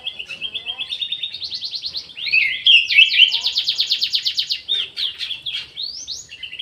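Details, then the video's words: Orange-headed thrush kept in an aviary, singing actively: a continuous, varied, high warble of rapid trilled and rattling notes with scratchy slurs, without pause for nearly seven seconds. "ANIS MERAH GACOR"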